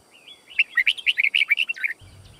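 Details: One rapid phrase of Red-whiskered bulbul fighting song, white-cheeked form, used to teach song: a soft lead-in note followed by about a dozen quick, bouncy warbled notes over roughly a second and a half.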